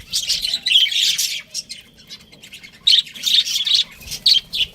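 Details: Budgies kept as pets, a breeding pair, calling in short loud bursts of raspy chirps and squawks, separated by quiet gaps of about a second.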